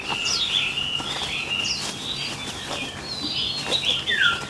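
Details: Caged Chinese hwamei kept as a songbird: loud, varied whistled phrases, some rising and falling slurs, a few sharp clicks and rustling in between.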